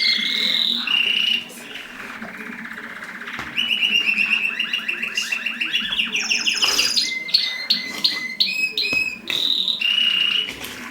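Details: Mosaic canaries singing while mating. A long run of varied rolling trills, buzzy rattles and clear whistled notes changes pattern every few seconds, with a constant low background hum.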